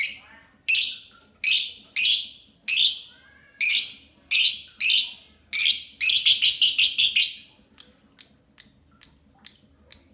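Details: Long ngekek from two green lovebirds together, loud harsh screeching notes at slow intervals, a rapid chattering burst, then a run of thin, sharp high chirps.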